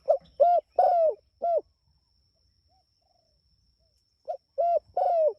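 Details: Spotted dove calling to its companions, two phrases of repeated cooing notes separated by a silent pause of nearly three seconds, each phrase with short coos and one longer slurred falling note; steady faint high whine in background.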